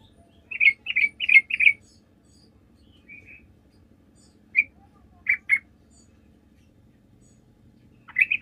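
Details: Sooty-headed bulbul, an active singer recorded as a lure to draw answers from other bulbuls; a quick burst of four chirpy notes, then a pause and scattered single and paired chirps.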